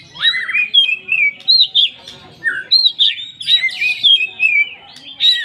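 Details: Oriental magpie-robin 'poci' full song, played as a lure so other magpie-robins sing: varied sweet whistles, rolling lower warbles and rough scratchy bursts, phrases coming in quick succession.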